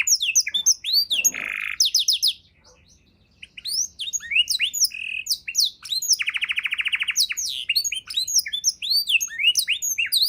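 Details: Canary tutor recording in 'isian mewah' style for training songbirds: varied chirps and a buzzy burst, a short silence, then renewed jumbled whistled notes and a dense rapid roll mid-phrase.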